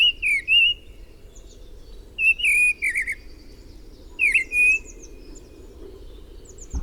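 Mistle thrush song: short, rich whistled phrases of a few fluting notes, delivered about every two seconds with brief pauses between, over a faint low rumble.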